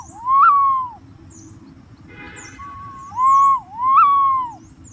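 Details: Green pigeon giving smooth whistled notes that swell up and glide down, one phrase then a pair after a pause, with a short flat whistle between; thin high chirps of other birds and a soft low hum behind.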